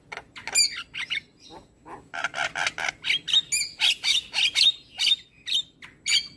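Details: Javan myna belting out morning song meant to train other birds: a fast series of loud harsh, buzzy notes about two per second, ending with squeaky whistled phrases.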